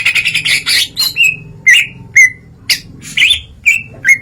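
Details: Greater green leafbird singing in the open, full 'ngeplong' style and unloading its repertoire of fill-in phrases: rapid bursts of chirps and scratchy notes, then clear whistled notes that slide down, repeated about every half second.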